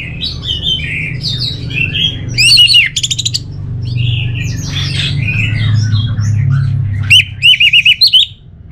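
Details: Varied song of an orange-headed thrush: clear whistled and warbled phrases broken by two runs of rapid, evenly repeated sharp buzzy notes, over a constant low background hum.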